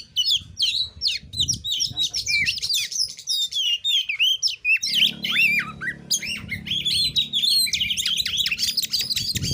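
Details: Oriental magpie-robin (kacer) in narung nembak style, used to provoke rival birds into answering: a dense, loud stream of varied whistles, chattering and squawky notes, with a low hum joining partway through.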